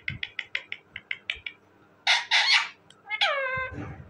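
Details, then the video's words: Talking parrot producing a fast train of short clucking syllables, then loud harsh screeches, and finally a long nasal call that glides downward. "talking parrot bird,parrot ki awazz"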